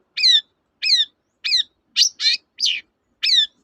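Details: Long-tailed shrike sound used to goad a silent bird into singing: harsh, squawking notes repeated roughly every half second, seven in all, some doubled, in a quiet setting.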